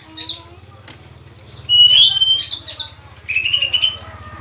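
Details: Male Oriental magpie-robin kept at home, giving clear level whistles mixed with scratchy notes, over a steady low droning hum.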